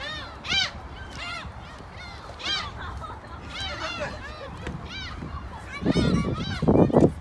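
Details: A flock of gulls in Korea with repeated nasal, arched yelping cries in bursts, crowded and overlapping, followed near the end by harsher broadband noise over low rumble.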